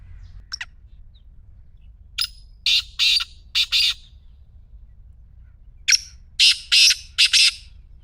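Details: Black francolin giving its grating call, meant to prompt a silent partridge to call: two separate phrases of four or five loud, harsh, rasping notes, with a pause of about two seconds between them.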